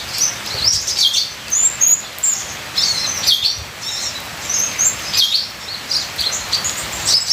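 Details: Ninja sunbird song with steady rain noise behind it: rapid, very high twittering with sharp chirps and short slurred notes, delivered in bursts of about a second.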